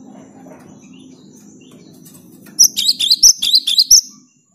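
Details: Cinereous tit in lively song for encouraging silent tits to sing: after a quiet stretch of low hum, a two-second burst of fast, high, ringing chirped notes.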